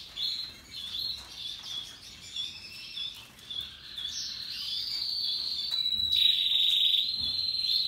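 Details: Canaries, Russian yellow and Timbrado, singing together: quick rhythmic chirped phrases give way to a long, bright rolling trill that rises and holds, with a lower buzzy note joining briefly.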